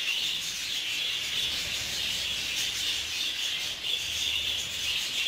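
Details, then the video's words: Budgerigars kept together in a group aviary, clashing with each other; dense continuous high chattering and warbling from many birds, a steady buzzy wall of sound without pauses. "اشتباك حقيقي بين طيور البادجي"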